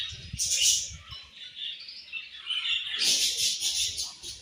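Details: Budgie colony at morning food time: high twittering chatter that dips, then surges into a louder burst of squeaky chirps from many birds.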